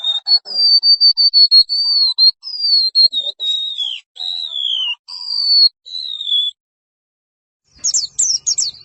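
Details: White-eye song used to train caged birds: a steady series of high whistled notes, some falling in pitch, followed by a pause and then a few sharp, very high downward-sweeping chirps.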